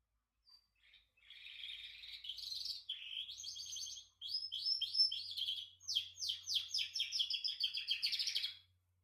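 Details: Canary song: high continuous warbling of rolled trills and rapid buzzy tours, broken by a brief pause, in an otherwise quiet setting.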